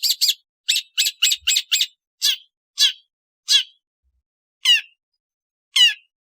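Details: Long-tailed shrike uttering quick grating double notes, then slower, single drawn-out harsh downslurred squeals spaced about a second apart.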